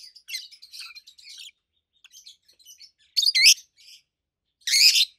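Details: Two adult rosy-faced lovebirds over a year old, a red-head green opaline and a white-head pallid aqua opaline, give shrill, high chirps and twittering chatter, with two loud, harsh screeching bursts over softer chatter.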